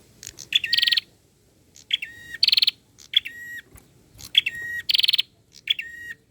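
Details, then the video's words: Masteran song of a bird, played to provoke answers: repeated phrases of a sharp note, a buzzy rattling burst and a flat drawn-out whistle, grouped in bursts with short pauses. "Burung masteran super heboh yang lain pasti nyaut"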